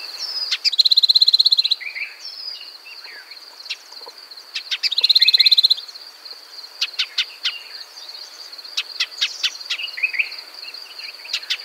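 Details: Shining sunbird in natural desert habitat of Africa or Arabia: two buzzy, rapid high trills, each about a second long, plus scattered sharp clicking chips, over a steady high insect-like whine.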